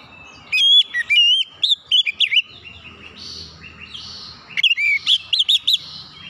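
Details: Oriental magpie-robin in full loud song for training untrained birds: varied chirpy whistled notes in quick runs, some bouncing up and down, in two bursts with faint low background sound between.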